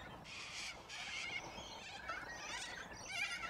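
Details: A large flock of corellas feeding on root grass on the ground in Australia gives harsh, grating, overlapping screeches roughly every half second, with higher squawks mixed in and other birds calling constantly behind.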